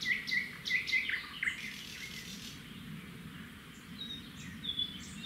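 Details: Red-backed shrike nest by a road: the male hands over a grasshopper and the female feeds it to the young. A cluster of sharp, rapid chirps opens the clip, then fainter high notes over a constant low hum.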